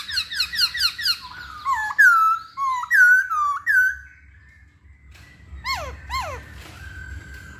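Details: Hwamei song starting with a quick run of chirpy descending notes, then loud wavering whistles, a short silence, and two sharp downward-swooping calls.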